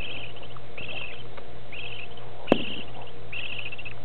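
Budgerigar chicks give bursts of thin, rapid peeps, begging to be fed.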